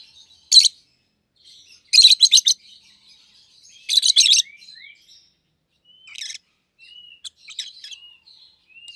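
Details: Two caged rosy-faced lovebirds, a yellow bird and a green bird with red heads, give sharp rasping chirps in quick stuttered runs, then softer scattered notes and short rising whistles.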